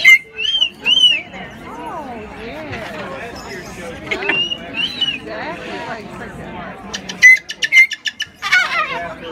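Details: Pet parrot at the annual 2017 Gateway Parrot Club Bird Fair in St. Louis, having fun and laughing a lot while alone at a booth: varied harmonic, speech-like laughing sweeps, then sharp high whistled notes near the end amid indoor crowd murmur.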